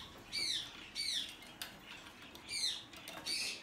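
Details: Hand-tame, domestically bred Blue-eyed cockatoo, 20 March 2020: short, harsh, down-curving squawks, often in pairs, roughly every 0.7 seconds, with tapping and clatter in between.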